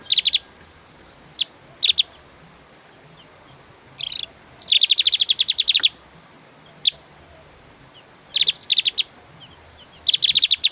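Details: Javan white-eye singing in spaced clusters of sharp, high ticks, including a longer rapid rattling run near the middle, with a brief harsh noise burst just before it.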